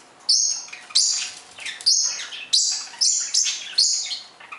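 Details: Pet budgerigars eating wet, freshly washed lettuce and playing, wetting their feathers, give bright, scratchy high chirps in quick bursts, about one burst every second, with busy chattering between them.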